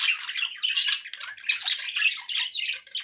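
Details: Pet budgerigars calling, kept indoors for relaxation listening: continuous scratchy, buzzy chatter with squawks and short whistled notes, dense and unbroken over a few seconds.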